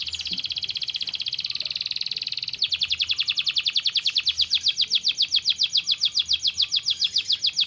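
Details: Canary singing a stimulating song for lazy birds: a fast, even buzzy trill, then a switch to quicker rolling notes repeated rapidly and steadily to the end.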